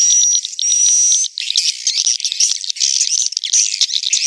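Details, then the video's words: Swiftlet roost-attracting call recorded inside a swiftlet building: a sustained thin high whistle at the start, then dense, rapid, buzzy twittering from many birds. "SUARA INAP WALET"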